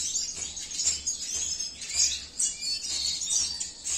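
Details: Male Venezuelan siskin of the cinnamon mutation, bred at a breeding facility, sings a fast, high twittering song of thin chirps and trills, in bursts roughly every half second, with a faint low hum underneath.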